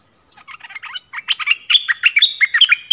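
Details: Decoy bulbul luring wild birds on 16 March 2021, building from soft scattered notes into a fast, loud, steady chatter of liquid chirps, several per second.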